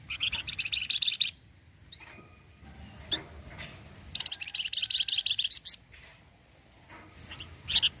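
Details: Orange-headed thrush in full cretetan song meant to provoke replies from other birds: two long runs of quick, scratchy, high-pitched stuttered notes, separated by a pause with a few thin rising whistles.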